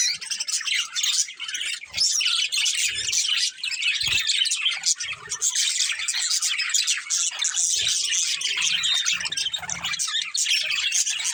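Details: Caged budgies kept as a breeding pair give a steady stream of high chattering chirps and warbles, busy and unbroken, with faint low knocks now and then underneath.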